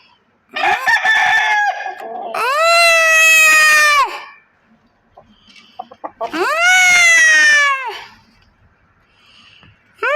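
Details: Chickens on a big poultry farm in Pakistan: a rough, buzzy call, then two long, drawn-out crows about four seconds apart, each holding a steady pitch before dropping away at the end.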